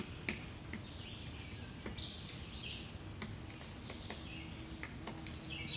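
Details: Male Pileated Woodpecker, possibly one of a pair, hammering a branch in Shenandoah National Park, Blue Ridge Mountains: sharp, loud knocks at an irregular pace about one a second; another bird sings thin high phrases over a soft outdoor hiss.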